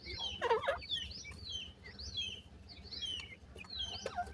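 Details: Grey francolin chicks, locally bhura teetar, giving thin, high downslurred peeps in quick scattered series, several overlapping, with a louder lower chirpy burst near the start and a soft low hum underneath.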